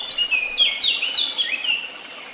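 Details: A bird sings clearly and close by: a string of high, clear whistled phrases that slide up and down, each note brief and varied, fading slightly at the end.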